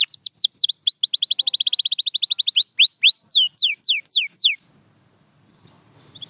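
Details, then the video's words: Canary delivering rapid repeated swooping notes that slow into a run of well-spaced descending whistles, followed by near silence. "Watch Silent Canaries Start Singing Again"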